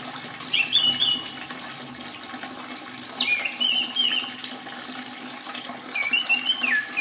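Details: Orange-headed thrush song played as therapy for birds that have stopped singing or are moulting: scattered loud whistled phrases with sharp rising and falling notes, a long gap midway, over steady soft background hiss.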